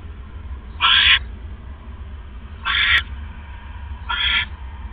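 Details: Owl at a nest at 3:40 AM on 5 October 2015, as a rat is brought in as prey: three harsh, rasping hissed bursts about 1.5 seconds apart over a steady low hum.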